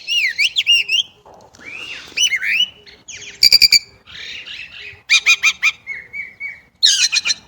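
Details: Chinese blackbird pouring out a varied, jumbled song of twisting chirps, buzzy bursts, rapid staccato runs and soft fluttering whistles.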